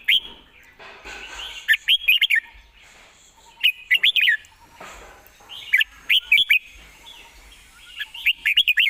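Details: Red-whiskered bulbul perched and singing relaxed, fast-paced phrases: short bursts of three or four bright, bubbly whistled notes repeated about every two seconds, with faint chirps and quiet background between phrases.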